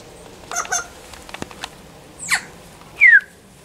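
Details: Wild bird, not used to people, approaching a person for food. A few short scratchy chirps are followed by a quick falling note and a clear, loud downslurred whistle near the end.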